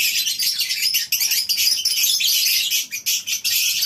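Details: Morning at a lovebird breeding farm: a flock kept in a colony cage keeps up an unbroken wash of sharp, high-pitched chirping and squeaking, with short pauses near one and three seconds.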